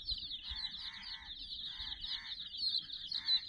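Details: Domestic chicks, about sixty, with a puppy toy: constant high chirping overlaid by three or four short, nasal, honking lower calls.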